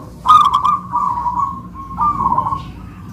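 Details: Two local-type zebra doves kept by owners, singing a perkutut manggung duet: a burst of sharp clicks, then rolling, stuttered coos held at one mid pitch, two phrases about a second long with a brief gap.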